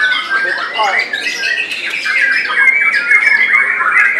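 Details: Caged White-rumped shama performing at a top-class singing competition in Semarang, Indonesia, 2022. Scratchy chattering bursts give way to a sustained run of bright whistled notes, steady and loud, amid background bird noise.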